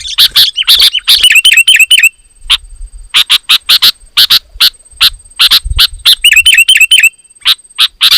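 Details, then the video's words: Sooty-headed bulbul in loud, dense song meant to goad rival bulbuls into singing: clipped, bright chirps in quick irregular runs, breaking into rapid twittering phrases at the start and near the end, over a constant thin high-pitched whine. "Suara Burung KUTILANG GACOR, Rapat dan Lantang Menekan Lawan Burung Kutilang Lain Auto Emosi"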